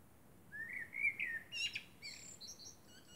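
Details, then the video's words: Under the moon at night, a common blackbird pours out a rising, flute-like warble, then a rapid, thin, high twitter that fades off. "Blackbird sings under the moon"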